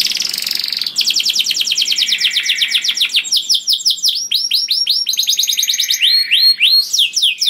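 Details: A canary sings loudly and sweetly to attract other canaries: long fast rattling trills of downswept notes, shifting in pitch, ending with a few repeated rising swoops.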